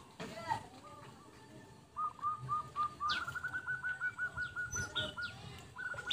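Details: Zebra dove lure recording; a quick run of about a dozen short, soft, even cooing notes on one pitch, set against a hissing, noisy background with a few faint higher chirps.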